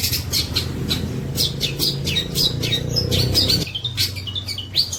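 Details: Long-tailed shrike in full voice, imitating the tengkek buto. Rapid harsh, scratchy bursts are mixed with a few thin whistled notes over a droning low hum that stops toward the end.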